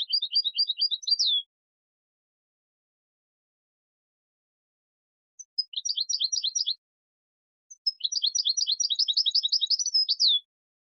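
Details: Goldfinch song phrases from a recording for teaching chicks. Three bursts of quick, jingling twitters are separated by long silences, and the last is the longest and densest, ending in a falling note.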